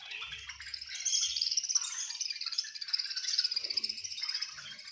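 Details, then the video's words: Group of budgerigars chirping while being fed, a lively, even stream of high twitters and squeaky warbled notes with faint low bumps at the beginning. "Very Melodious Budgies Chirping Sounds"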